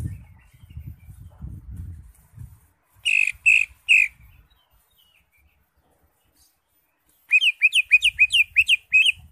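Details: Greater green leafbird (cucak hijau) singing steadily with crest raised, its song full of varied fill-in phrases, used to tutor other birds. Three loud whistled notes come first, then a rapid run of sharp, upswept chirps. Low rumbling noise at the start.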